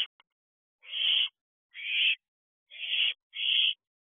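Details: At 2:15 am at a nest box, two young barn owls aged 10 weeks spend the evening together; four loud, broad, raspy hissing screeches follow one another about a second apart, otherwise quiet.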